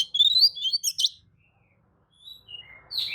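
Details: Magpie-robin lure song to provoke rivals: a rapid rising warble and a sharp loud buzzy note, then near silence, a couple of soft whistles and a final harsh rasp, with light background rumble.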